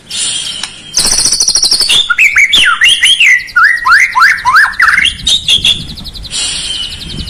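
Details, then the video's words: White-rumped shama singing as bait for a lazy singer: high buzzy trills framing a rich run of fast, slurred, swooping whistles, rising and falling in quick succession, about three notes a second. "PANCINGAN PALING JITU UNTUK MURAI YANG MALAS BUNYI"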